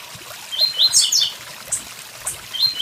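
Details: Blue-black grassquit near a waterfall giving high, thin, buzzy notes in quick succession, a short sharp burst at the start and another at the end, over continuous rushing water.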